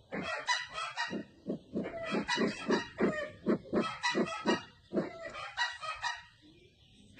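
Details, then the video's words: Red-eyed bird from Sumatra giving a fast run of low, hoarse clucks, about three per second, with brief pauses and a noisy hiss overlying the notes. "Suara burung merah mata Sumatra"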